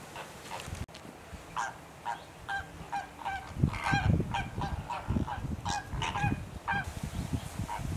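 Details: Greater flamingos visiting Rondevlei near Wilderness on the Garden Route give a steady chorus of nasal, goose-like honks, about two a second and overlapping from several birds, over a low rumble of wind.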